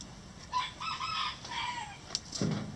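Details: Chickens in a coop on a farm, several soft, low clucks and a drawn-out falling call around the middle, with faint scratching and pecking noises.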